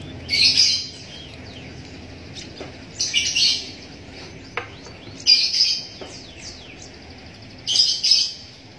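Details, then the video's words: Javan munia nestling being fed by hand with a used straw: four loud, harsh high begging bursts separated by quiet gaps, with faint soft chirps between. "Cara Meloloh Anakan Emprit Kaji Menggunakan Sedotan Bekas"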